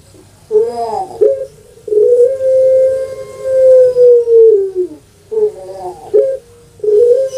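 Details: Caged puter pelung dove, Indonesia, singing its long coo. A wavering rising intro and a clipped note lead into an extended steady tone that falls at the end, followed by choppy rising notes opening a new phrase.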